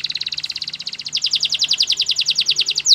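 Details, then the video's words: Training song of a canary: rapid, evenly repeated chirping notes, about ten per second, speeding slightly and rising in brightness, ending on a sharp downward slur. "Canary's most powerful song for training - The best canary sounds"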